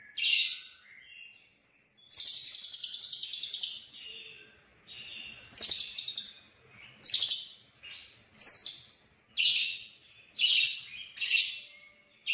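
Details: Lovebird in konslet style, packed with cililin phrases: a harsh opening note, a long fast trill, then a string of short squeaky bursts repeated about once a second.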